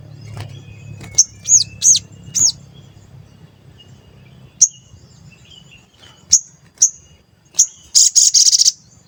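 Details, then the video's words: Sooty-headed bulbul lure sound intended to draw wild birds to answer. Three looping whistled notes over low background hum, then scattered sharp high chirps, ending in a short fast buzzy trill. "Pancingan Sogon Agar Bunyi dan Emosi, Sogon Bahan Auto Nyaut"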